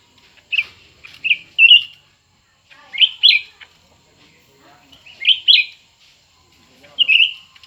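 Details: ['Contest between two cucak ranting birds, new and old: clusters of quick, sweet, slurred whistles, two or three notes each, spaced by short pauses.']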